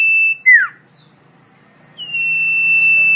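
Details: Melodious common iora (cipoh) song, recorded for tutoring songbirds. A steady whistle ends in a sharp downward-slurred note. After a short pause, a new whistle starts slightly higher, then holds long and level.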